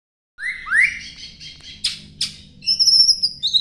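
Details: White-rumped shama (Copsychus malabaricus), a long-tailed bird, in rich song: two rising slurred whistles, a pair of harsh buzzy notes, then high, bright, ringing whistles, all over a quiet background.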